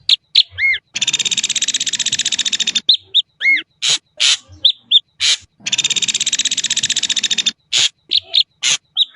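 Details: Harsh buzzing rattles from an Ashy drongo alternate with arched, down-slurred whistles and scattered sharp chips, the rattles coming twice in long stretches.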